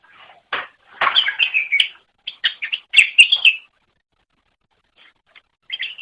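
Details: Greater green leafbird song, a training recording for pet songbirds: bursts of rich, chattering, warbled notes around mid-high pitch with sharp clicks, a long pause, then a brief resumption; no other sounds.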